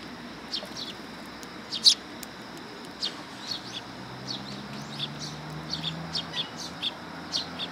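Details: Willow tits arriving for food at a Tenmangu shrine, 1 September 2022: brief, high, thin chirps repeated roughly every half second, with one louder note early on, over faint low humming.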